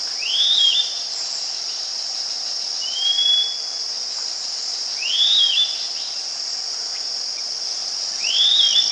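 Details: Wild Philippine eagle at its nest in the Philippines while feeding its eaglet: thin high whistled calls, rising and then slurring downward, about three in nine seconds, over a steady loud insect drone.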